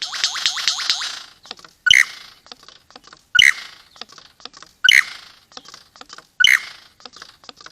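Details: Lyrebird, a forest bird of Australia: a quick run of sharp, descending whistled notes, then loud broadband clattering bursts repeated about every one and a half seconds, with soft ticking notes between them.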